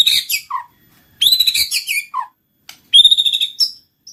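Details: White-rumped shama song: high, rich phrases of sweet whistles and chattering notes, with lower downslurred notes between them and short silent gaps between bursts.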